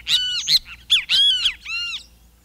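A Great Kiskadee gives loud, harsh, strident calls: a quick pair of sharp notes, then longer arched squawky notes over about two seconds. No other sounds are heard.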